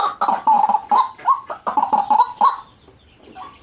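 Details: White-breasted waterhen calling for bird luring, giving quick, rough, croaking notes in rapid bursts that fade into quiet near the end.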